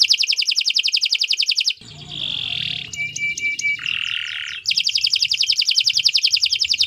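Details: Long canary song meant for tutoring other birds: a fast, even trill of repeated bright notes, a buzzy held phrase, a series of clicks over a steady pure whistle, another buzz, then the rapid trill returns.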